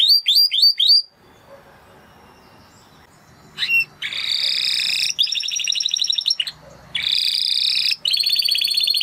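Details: Spanish Timbrado canary song: quick falling chirps, a short pause, then loud rapid rolling trills in several bursts separated by brief gaps.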